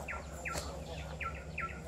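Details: A single unseen Pin-striped tit-babbler at Genting Highlands, Malaysia, moving about constantly, gives a quick series of about five clear, falling notes, roughly three per second, over a steady low hum.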